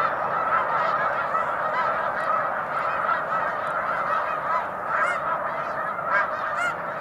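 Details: Dense chorus of snow geese on Cayuga Lake, a large March flock giving constant nasal honks, with a few sharper, louder yelps rising above the crowd near the end.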